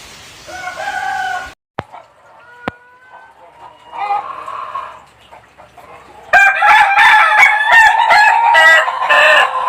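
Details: Laughing rooster of the Ayam Ketawa breed: a short crow and two sharp clicks at first, a quieter patch, then a loud, rapid run of stuttering harmonic bursts, the laughing crow, filling the final seconds.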